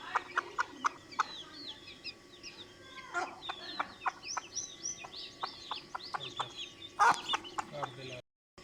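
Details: A hen calling her chicks: short, sharp clucks repeated at uneven intervals, with a dense chorus of high, thin, rising peeps from the chicks running throughout and one louder burst near the end.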